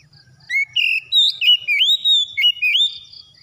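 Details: Magpie-robin song for prompting a non-singing bird to start singing: a quick series of bright whistles, some held, some swooping upward, delivered in a tight rhythmic string without background noise.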